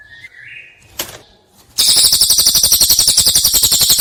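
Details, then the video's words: Cililin prinia master recording for training songbirds: a soft rising whistle, a click, then a loud, harsh, rattling series of notes repeated nearly four times a second. "Masteran Prenjak Cililin Suara Jernih"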